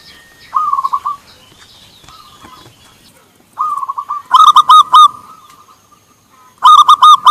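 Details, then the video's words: Local zebra doves (perkutut lokal) answer each other with soft rolling coos, then loud staccato bursts of four or five quick notes, in big, small and medium voices; faint higher chirps from another bird sound between phrases. "perkutut lokal gacor suara komplit, besar kecil dan sedang"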